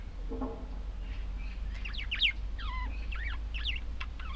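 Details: Pet budgerigars warbling in a run of rapid, twisting chirps, with a low muffled sound at the start.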